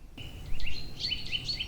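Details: A Eurasian nuthatch (Sitta europaea) sings in a forest on a very cold late-winter morning as the dawn chorus begins, giving a few loud, ringing whistled notes, some rising, in quick succession over a low background rumble.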